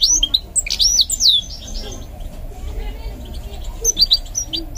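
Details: Goldfinch mule under song training produces a brief burst of high swooping whistles, followed by a quieter stretch with only a few faint chirps over background hum.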